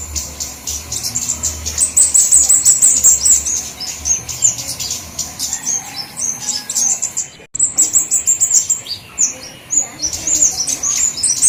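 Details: Flowerpecker lure sounds for all kinds: long stretches of very high, shrill chirping and ticking in dense irregular bursts, a short break partway, then more rapid thin chips over a low hum.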